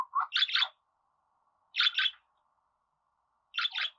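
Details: Budgerigar uttering paired buzzy chirps about every one and a half seconds, the first pair led by a softer lower note.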